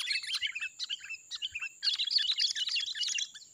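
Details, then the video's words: Wild sooty-headed bulbul singing lively: dense bursts of quick chirping, bubbly notes, broken by short pauses, with a steady high thin tone running underneath throughout. "KUTILANG LIAR || Suaranya Gacor ngeplong"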